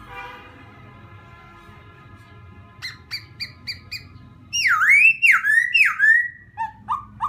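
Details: Laughingthrush song used to provoke another bird: after quiet hum, a few short high whistled notes, then loud swooping whistled phrases falling and rising, ending with shorter lower slurs.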